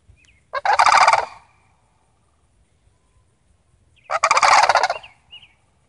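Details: Sandhill Cranes from a visiting family give two trilling, rattled calls, each about seven tenths of a second, spaced three and a half seconds apart over a quiet background.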